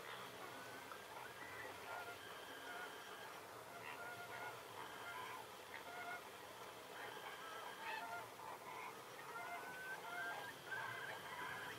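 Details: Flamingo flock calling at dawn in the Diaccia Botrona nature reserve. Nasal, honking calls overlap almost without pause, some drawn-out and some clipped, with a faint steady high-pitched whine behind them.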